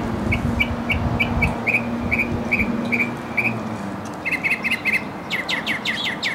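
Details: Mockingbird singing a varied medley: a steady series of short chirps roughly every third of a second, then faster doubled notes and finally harsh, broadband rasping phrases, with low traffic-like hum early on.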